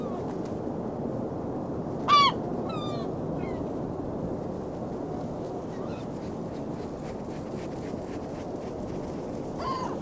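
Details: Gulls on a beach on a freezing February day in 2016 (19°F): a loud harmonic squeal followed by a few quieter falling yelps, a faint cry at the close, steady roaring surf beneath.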